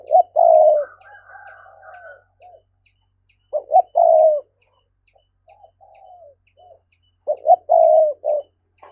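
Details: Urging 'gáy thúc' cooing of a spotted dove used as a trapping lure: loud phrases of quick hoots ending in a long low coo recur about every three to four seconds, with a fainter, higher drawn-out cooing between them.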